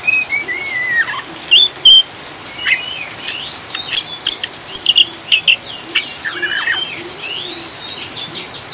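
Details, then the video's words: Oriental magpie-robin chattering ngriwik song for steadying caged birds: opening descending whistle, then a fast sequence of clipped chirps around the middle and smooth rising whistles later, with rain in the background. "Kacer ngriwik ngeplong"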